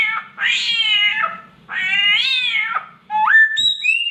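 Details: Mimicking samyong copying a cat's mating cry: two long, wavering, nasal meows, then clear whistled notes stepping upward in pitch.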